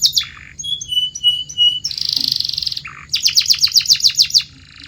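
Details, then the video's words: Canary song used as a training sound to make canaries sing: a rapid medley of high whistled notes, a dense buzzy trill, then a fast run of repeated bright chirps, all clear and prominent. "Your Canary Might Sing NON-STOP After This"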